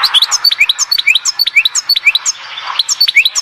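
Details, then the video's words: Quick, continuous twittering of a European goldfinch at Oued Zhour, Skikda: high chirps and short slurred notes follow one another several times a second, tinkling and lively. "تغريد حسون واد الزهور سكيكدة"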